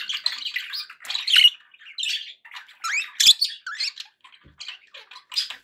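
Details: Pet budgies give separate squawks, rising whistled chirps and buzzy notes in uneven bursts, with quiet gaps between them and one sharp click.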